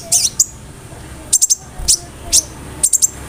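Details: Konin with cricket and bird imitations in its song; spaced groups of two or three sharp, very high chip notes separated by short silences.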